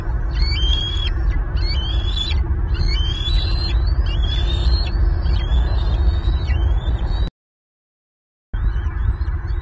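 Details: Bald eagles at a nest in Southwest Florida on 5 April 2023, with two recently fledged eaglets back at the nest and an adult bringing fish. High, thin whistled calls rise and fall in quick repeated bursts over strong, steady wind rumble, then a brief dropout.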